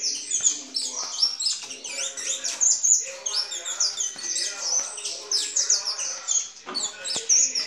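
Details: Captive intense-yellow saffron finches mating at a licensed Brazilian breeder, recorded on 7 September 2019: rapid high chirps and short sharp whistled notes tumbling over one another, with people talking quietly underneath.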